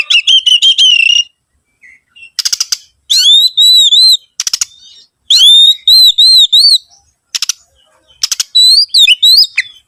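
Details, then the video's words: Oriental magpie-robin lure song to make other birds sing: repeated clear whistled notes with wavering pitch, delivered in short series and interrupted by harsh scratchy rasps. "PANCINGAN SUARA BURUNG KACER"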